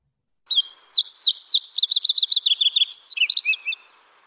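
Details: Fox sparrow song from the Lake Tahoe area, said to include a dipsy-do sound that not every fox sparrow makes: a short opening note, then a rich run of rapid varied whistled and slurred notes, some repeated, lasting nearly three seconds.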